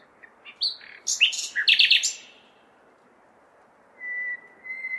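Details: Singing common nightingale, May night in a large city: a jumble of sharp chirps and loud rattles, a silent gap, then two long pure whistled notes, with faint city noise in the background.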